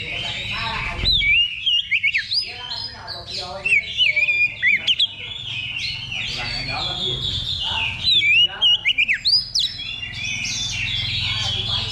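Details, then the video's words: Practice contest simulation, level two, for an Oriental magpie-robin ahead of competing: a rich medley of sliding whistles and harsh, rapid chattering bursts, with background talk and crowd murmur. "Simulasi Lomba Kacer Level 2 Tuk Latihan Sebelum Tanding"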